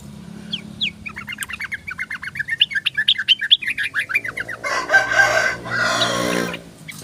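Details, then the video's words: Sooty-headed bulbul, a tame and lively singer, delivering the fast 'ropel' song: a dense, chattering stream of short whistled notes repeated several times a second, followed by a loud, harsh, broad rushing burst of another sound. "Burung Trucukan_Trucuk Ropel_Gacor Ropel_Trucuk jinak"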